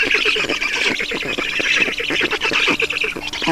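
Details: Begging of Black stork young during a feeding at the nest in Estonia, afternoon of 5 June 2019; rapid, grating squawky pulses run together into an unbroken noisy chorus.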